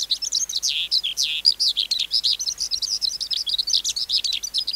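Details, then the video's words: Skylark caught wild as an adult and kept by a bird keeper, singing a rapid, continuous stream of high chirps, slurred whistles and trilled phrases, the notes packed tightly with steady loudness throughout. "Sơn Ca Bổi Hót Giọng Cực Hay"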